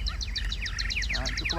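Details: A caged Chinese hwamei from Vietnamese bird keeping gives a fast run of bright, downslurred whistled notes, about seven per second, ending in a lower rattling burst. Background hiss is present.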